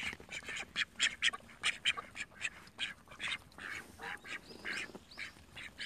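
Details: Call duck in a pool giving loud, harsh, nasal quacks in quick bursts, often several per second, with short pauses between runs; a few splashy noises in the background.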